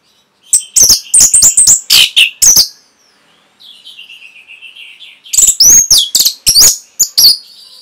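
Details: Training song of the orange-headed thrush for caged birds: fast strings of loud, sharp, high notes, a soft thin warbling interlude, then another rapid run of ringing chips and slurred whistles.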